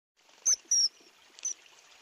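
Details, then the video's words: Common kingfisher, possibly at Tadoba National Park, gives three shrill, thin, high whistled notes, the first two close together and the third after a short pause, over faint rushing water. "Common Kingfisher Call Sound"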